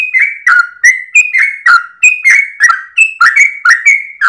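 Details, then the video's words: Yellow-vented bulbul (trucukan) singing at dawn while wagging its tail: bouncy, slightly descending whistled notes delivered about three per second, each opening with a sharp click. "GOYANG EKOR trucukan gacor ropel panjang saat subuh pagi hari"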